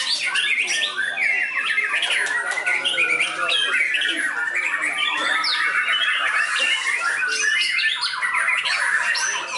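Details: A trained white-rumped shama performs at a contest field with a showy mimicry-filled song. It is a long, nonstop flow of rapid chirps, buzzy squawks and short whistles, steady in loudness.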